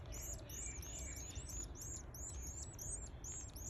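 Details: Domestic canary chicks at day 11 in a feeding frenzy, stretching while being fed: rapid high, thin, arched peeps, about three to four per second, steady and overlapping, over a low background hum.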